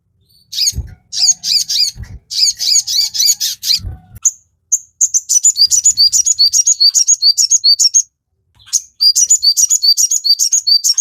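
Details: Crimson sunbird delivering a continuous chattering song for teaching captive birds, with bursts of shrill high notes alongside low knocks, followed by long even rows of sharp chips at roughly three or four per second.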